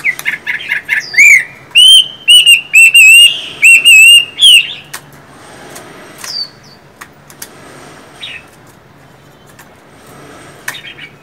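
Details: Chinese hwamei, a caged songbird, singing loud, clear whistled phrases, each a rich note sweeping up or down with bright overtones, repeated about twice a second for five seconds, then a few scattered softer notes over a quiet background.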